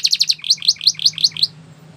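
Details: Belgian canary song used for training other birds to sing, a rapid run of about ten sharp chirped notes, slowing slightly, over a faint low hum.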